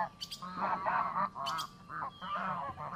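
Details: Geese by a lake giving repeated nasal honks in bursts of about half a second, several calls overlapping, with a brief high squeak partway through.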